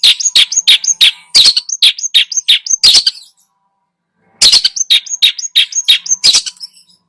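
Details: Long-tailed shrike lure song, richly varied and intended to excite other birds; fast strings of sharp, high chattering notes, roughly three per second, broken by a pause of over a second before another rapid run.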